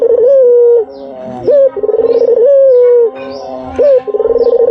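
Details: White dove calling as a lure, with smooth drawn-out coos broken by short upward-flicking notes and fast pulsing trills. A faint steady low hum runs underneath and thin high chirps appear.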